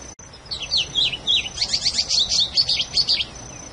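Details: Patativa, the plumbeous seedeater, sings a bright phrase of mixed slurred whistles that speeds into rapid repeated downslurred chirps, about three seconds long, preceded by a brief click, with a thin constant high-pitched tone behind.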